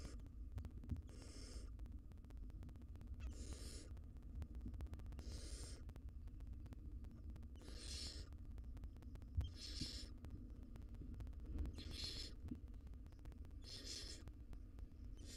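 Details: Wild barn owls in a nest box as the mother feeds her nestlings; harsh, breathy hissing bursts repeat roughly every two seconds over a steady low hum, with faint scattered clicks and knocks.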